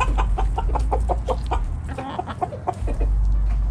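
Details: Morning foraging by a backyard chicken flock: rapid, fairly regular clucks about three per second, then softer scattered notes, with low rumbling noise underneath.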